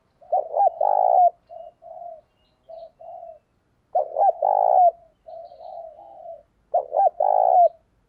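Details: Spotted dove used as a decoy bird, cooing eagerly to stir other doves. The clip holds three low cooing phrases about two seconds apart. Each has short clipped notes, then a long rolling coo, then softer drawn-out notes. The background is quiet.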